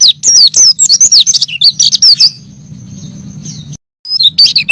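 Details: Training recording of a white-eye in full song: quick burst of twisting, high chirps, then a long thin steady whistle, a short gap, and more chirps; faint low hum beneath.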